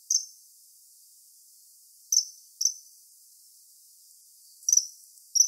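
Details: A common kingfisher by a river in Wittlich, 2017, gives five short, shrill, piercing whistles at irregular intervals, with quiet gaps between them and no other sounds.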